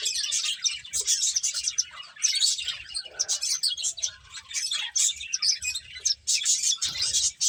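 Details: Finches chirping while eating: a dense, continuous chatter of high, short chirps overlapping throughout, as from many birds at once, with soft low rustling beneath.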